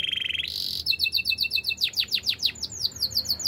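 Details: Singing canary delivering a quick level trill, a high whistled note, then a run of rapidly repeated notes and a series of steeply falling sweeps, all bright and high-pitched.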